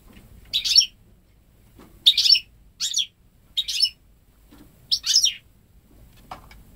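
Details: Ten-month-old goldfinch × canary hybrid, bred at home and hatched May 2013, raised without hearing any male canary, sings goldfinch-style notes: five sharp chirpy bursts at irregular intervals, then a faint thin note.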